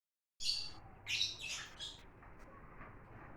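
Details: Lovebirds kept as exotic birds, giving a few shrill high chirps and squawky notes in quick bursts, then fading into a quiet hiss.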